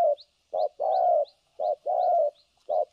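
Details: Spotted dove used as a decoy for trapping in Vietnam, giving a low, soft two-part coo: a short note then a longer drawn-out one, repeated about every second, with faint higher chirps of another bird in the background.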